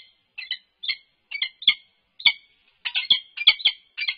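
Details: Peregrine falcons at a UC Berkeley nest box on 3 November 2021: an unknown male on the box interacting with the resident female. Spaced harsh calls quicken into a rapid, overlapping chatter toward the end.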